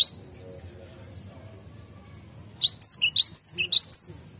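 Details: A near-silent garden, then a cinereous tit breaks in with a rapid burst of about eight high, clear whistled notes.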